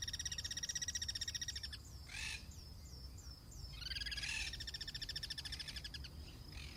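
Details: Guira cuckoo in the wild, cross-singing: two bouts of fast, pulsed, harsh rattling notes, about four per second, each run lasting near two seconds, separated by rasping bursts, over a low ambient rumble.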